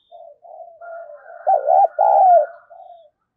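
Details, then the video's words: Spotted dove female calling to excite males: a loud wavering coo and a long falling note rise out of softer, steady cooing from other doves, with a faint higher whistle in the background. "cu mái gáy kích trống hiệu quả, trống nghe rất phấn khích và nổi nhanh"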